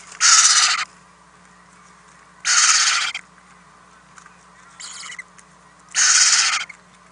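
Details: Owl chicks in a nest house being fed overnight on April 10, 2018: three strong, noisy hisses spaced about three seconds apart, with a fainter rasp between the last two over a faint electrical hum.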